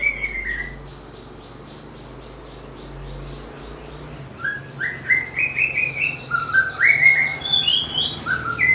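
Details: White-rumped shama, a bird described as having a melodious, varied voice able to mimic other birds, singing: near-silent first half, then a run of loud, clear whistled phrases, rising and falling, some sliding upward, delivered in quick succession.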